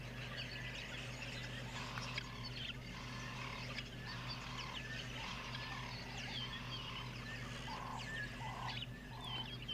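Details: Flock of guineafowl at a water hole on a beautiful morning, keeping up a steady chatter of hoarse, evenly spaced notes about twice a second, with sharper chirps from other birds over a low rumble.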